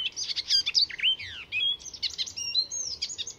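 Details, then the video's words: At Fysingen, a Swedish reserve north of Stockholm, an Icterine Warbler pours out a dense, fast medley of high chattering notes, falling whistles and buzzy fragments, copying calls and songs of other birds. "Icterine Warbler in full song; A master of mimicry"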